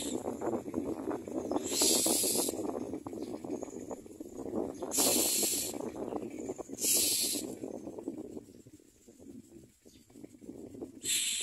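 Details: Common myna chicks in a nest, gaping wide to be fed, give four harsh, rasping hisses of about half a second each, spaced irregularly over a steady low rustling and clattering background.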